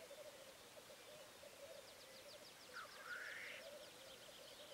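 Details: Black grouse: continuous low bubbling cooing, with one rising, hissing sneeze in the middle. A rapid series of high, thin notes from another bird repeats above.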